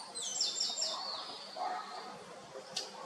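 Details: Early-morning gray kingbird calling to other kingbirds while perched: a brief cluster of high, sharp chirps sweeping down, followed by softer lower notes and a single quick click near the end.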